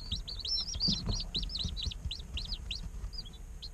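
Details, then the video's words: Baby chickens a day old cheeping rapidly, close to four peeps a second. Each note is a high, up-and-down chirp, and the calls overlap, with low thumps and shuffling beneath. "Chicks Chirping Sounds - Baby Chicken Sounds"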